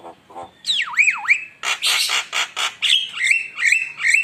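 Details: Javan myna singing hard as a lure: deep swooping whistles falling and rising twice, then a burst of harsh rasping notes and several wavering sustained whistles.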